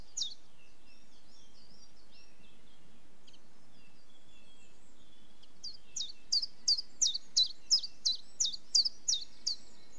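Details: Common chiffchaff song. Soft, high twittering notes come first, then after a pause a clear run of about twelve sharp, falling notes repeated roughly three per second, over low ambient hiss.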